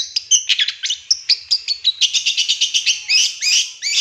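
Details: Long-tailed shrike in a lure recording with a filler of imitated notes: a rapid, continuous stream of high chips and double whistles, several per second, ending in slurred squeaky phrases.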